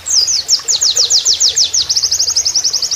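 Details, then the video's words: Oriental white-eye giving a canary-like 'nembak kenarian' song used as a training master: a fast run of high, sweeping notes repeated about eight per second, ending in a quicker, even, buzzing trill. "MASTERAN PLECI NEMBAK KENARIAN"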